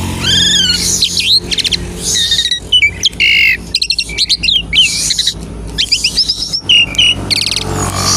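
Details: Asian pied starling song used as a lure to prompt other starlings to sing: a dense run of downslurred whistles, rapid buzzy stacked notes and harsh chattering bursts, almost continuous, with a low background hum.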